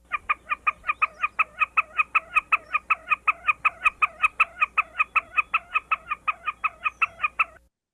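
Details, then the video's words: Wilson's Snipe giving its chipper or cutta call: a steady run of harsh, doubled notes, about four each second, held for over seven seconds with nothing else heard. "Wilson Snipe also gives a repeated chipper, chipper, chipper, or cutta, cutta, cutta call. Sounds like this."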